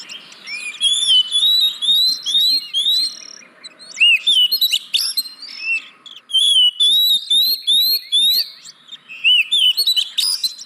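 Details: Lure song of the oriental magpie-robin (kacer) for reluctant caged birds: bright whistled notes, upslurred and downslurred, delivered in repeated bursts of about a second with short pauses, some scratchy notes mixed in.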